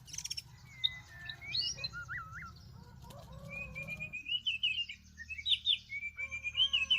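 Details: Fighting white-rumped shamas, caught up in bird trapping in Vietnam's northwest, give looping whistled phrases, twangy wavering notes and rising slurs. High chatter overlaps the phrases, with a steady low hum underneath.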